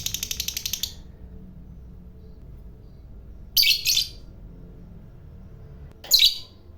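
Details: Lovebird of the fighter type, whose long chatter is said to provoke other lovebirds: a one-second burst of rapid, evenly pulsed high chatter, then silence broken by two separate shrill, harsh squeaks.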